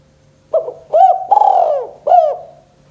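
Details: Spotted dove in KUK 2 song style, played to draw lazy doves into calling: one complete phrase of a clipped opening note, an arched coo, a long vibrating coo and a final arched coo, then quiet hum.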